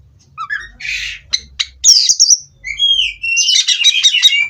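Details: Oriental magpie-robin in captivity from a breeding farm, singing a varied phrase: a harsh noisy burst, clicks, whistled slurred notes, then a dense fast run of sweet twittering notes near the end.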